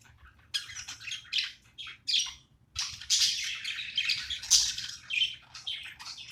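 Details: Playing pet budgie warbling in a rapid mix of high squeaks and raspy chirps, sparse at first, then a dense chattering run.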